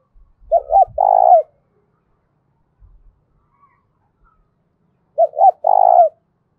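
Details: A spotted dove's loud, ringing challenge coo, given twice about four seconds apart: two short hooked notes leading into a long, slightly wavering coo, with light low clatter near the first phrase.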